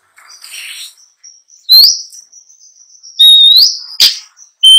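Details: Long-tailed shrike in a rich, varied song: thin high whistled notes, then loud upslurred whistles and sharp clicks, with a quiet buzzy sound early on.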